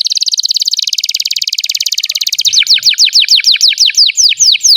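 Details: A canary sings continuously as a model for young and silent canaries: a very fast rolling trill for over two seconds, then slower, loud downslurred sweeps repeated about twice per second.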